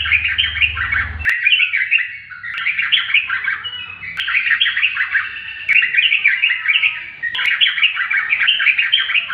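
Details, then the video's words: A yellow-vented bulbul sings a continuous run of bubbly, chattering phrases with quick warbled notes, broken by a few sharp clicks and a low hum at the start. "burung trucukan sudah ropel loss"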